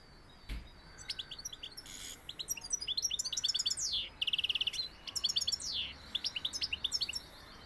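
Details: Goldfinch from Seville pouring out a lively high-pitched song of quick chirps, trills and a few buzzy rising notes, densely packed, with a sharp click near the start.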